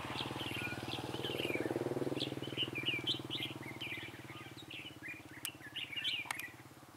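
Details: Red-whiskered bulbul singing during bird trapping at Vườn Táo, 19 December 2016. Rapid chattering, slurred whistled notes follow one another, with a loud droning engine-like hum beneath and a few sharp clicks near the end.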